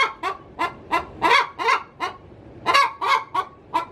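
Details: Hen calling from her coop as she prepares to lay, a cackle of loud, raspy honking notes, some single and some paired, with short quiet gaps.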